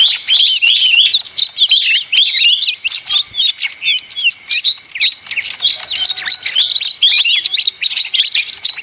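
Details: Noisy leafbird delivering a continuous, busy medley of squeaky whistles and trills, rapidly changing pitch, with a few short pauses.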